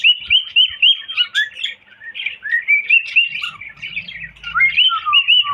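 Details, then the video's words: Fast, repeated chirping whistles from a cockatiel, about four notes a second, rising and falling in pitch, with a faint low murmur late on. "Bullo Cocktail Parrot Whistling"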